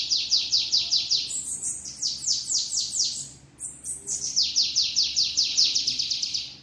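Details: Strongly sung 'treme treme' song of a bananaquit (sibite), recorded at a house: long runs of rapid, high-pitched, down-slurred buzzy notes with one brief break midway.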